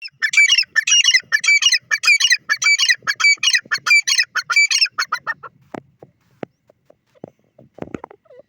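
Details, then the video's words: Grey francolin calling: a rapid series of harsh, ringing, repeated phrases about five per second for five seconds, then fading into scattered faint clicks and quiet. "francolin bird sound,gora teetar ki awaaz"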